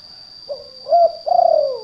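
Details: Spotted dove lure call of the 'kuk 2' type, used for trapping in gardens and rice fields: a soft low coo, then a louder rising note, then a long vibrating falling coo, over a steady high electronic whine.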